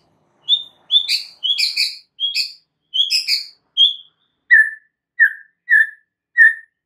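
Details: White-rumped shama singing prolifically on a training recording meant to make other shamas respond: clear whistled notes with buzzy overtones, then a slower series of lower, evenly spaced whistles about every half second.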